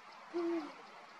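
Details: Singing male Eurasian eagle-owl giving a single low, level hoot lasting about a quarter second that fades with a brief dropping end, against quiet background noise.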